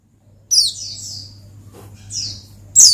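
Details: Oriental white-eye (pleci) in lively ngalas style, meant to call and provoke a rival: three high, thin, downward-sweeping chirps, spaced widely apart over near silence, with a faint low hum underneath.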